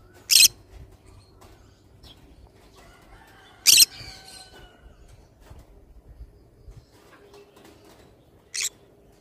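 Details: Pineapple green-cheeked conure, a kept parrot, letting out three loud harsh screeches a few seconds apart, with soft chattering and faint household hum between them.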